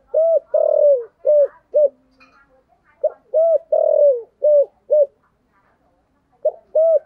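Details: Deep 'thổ sấm'-voiced spotted dove giving 'thúc gù' cooing: loud, low, mellow hoots in phrases of four to five notes, some stretched and falling, separated by short silent pauses.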